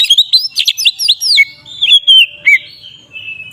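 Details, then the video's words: Rapid ngeplong song of a magpie-robin, meant to provoke other magpie-robins. Quick rising and falling whistled slurs in dense bursts, followed by a few clearer downslurred whistles. "Suara burung Kacer ngeplong ini paling ampuh untuk pancingan Kacer agar emosi"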